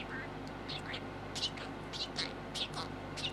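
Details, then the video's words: Six-month-old male American budgie saying the words he knows to his green yoyo ball: whispery, speech-like syllables in quick clipped bursts, with a few squeaky notes over a low background hum. "Talking Parakeet"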